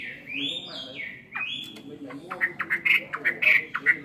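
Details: Caged Chinese hwamei, two years in captivity, giving a fighting song with tail fanned: long slurred whistles rising and falling, then a run of short sharp repeated notes, with a faint voice in the background.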